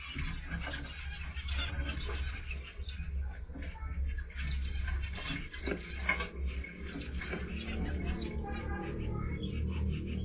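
Thin, very high sweet chirps from a red avadavat, several loud notes about a second apart, then fainter twitters, over a low steady rumble.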